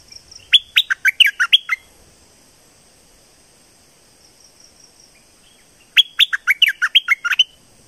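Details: Streak-eared bulbul recorded in southern Thailand repeating a fast, chattering phrase of around ten bright chirps. A second near-identical burst follows after a pause of about four seconds, over a steady faint hiss.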